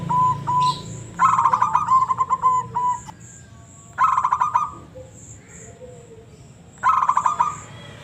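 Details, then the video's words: Local zebra dove giving its "ngebrem" voice: mid-pitched cooing phrases made of a fast rattling stutter that slows into a string of separate even coos. Phrases repeat about every three seconds over a low background hum. "Burung perkutut lokal suara ngebrem"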